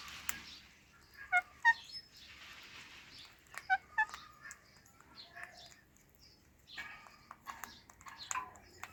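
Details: Talking ringneck parrot, a household pet eating guava, makes pairs of brief, clipped chirps with clear harmonics, separated by quiet gaps. Faint rustling and soft clicks come in later.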